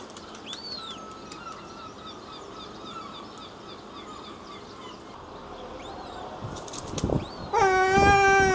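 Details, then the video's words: Herring gull in its breeding colony gives a loud, harsh, harmonic-rich call near the end, after a stretch of thin, high, arched whistles and some flapping or rustling noise. "Life In The Colony - The life of the Herring Gull"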